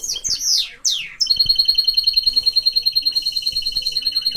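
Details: Mixed-breed canary singing: a few quick high sweeping notes, then a long rapid trill of evenly repeated bright pulses about three per second.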